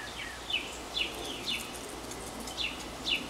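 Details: Northern mockingbird heard during a half-hour porch singing bout on a breezy day; sharp downslurred chirps repeated roughly every half second, partly masked by rushing wind noise.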